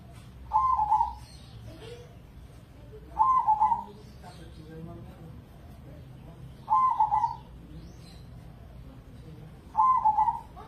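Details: Indonesian crossbred competition zebra dove in captivity sings four short, stuttering coo phrases spaced about three seconds apart, each a quick rolling trill, with soft voices and low hum in the background.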